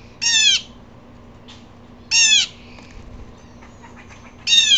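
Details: Agitated blue jay calling: three harsh, nasal, downslurred notes about two seconds apart, with faint softer chips and rustles in the pauses.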